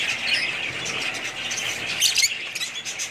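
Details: Budgies keep up a high, warbling chatter, with a burst of sharp, squeaky chirps around two seconds in.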